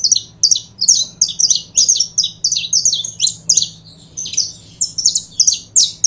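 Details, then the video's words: Saffron finch, known in Brazil as canário-da-terra, singing a fast series of bright chirped notes between high and upper-middle pitch, repeated several times a second, with a faint low steady hum underneath. "CANARIO DA TERRA"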